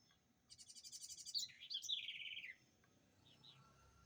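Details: House wren, locally called garrincha or roxinol, singing distinctively: one two-second phrase of rapid, buzzy, high repeated notes that drops into a lower tumbling warble, then two faint short notes after a pause; low background hum.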